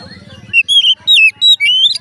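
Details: Oriental magpie-robin song meant to set other magpie-robins singing; after a faint low murmur, a run of loud clear whistles, some rising and some dropping, in quick separate phrases.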